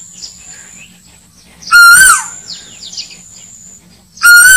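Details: Asian koel call played as a hunting lure: two loud, ringing whistled notes with a slight wavering rise, about two and a half seconds apart, over a faint background hiss.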